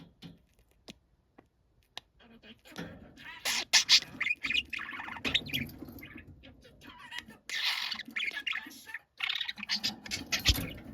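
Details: Young tame budgerigar, said to sound like a middle-aged man, starts with a few isolated clicks and then breaks into loud, harsh, squawky chatter that continues in bursts to the end.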